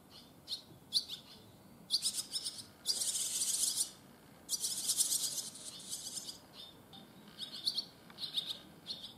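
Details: Barn swallow fledglings on their first day out of the nest, which they left early that morning, give quick, high twittering chirps broken by two longer bursts of harsh, buzzy chatter, over a faint background hiss.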